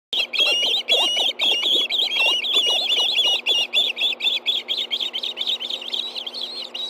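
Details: Ospreys at a nest in Hellgate Canyon, Montana, 10:46 a.m. on 24 August 2013, raising a stir as a fish is brought in for two hungry birds: rapid, high, whistled chirps repeated about twice a second, dense and insistent throughout.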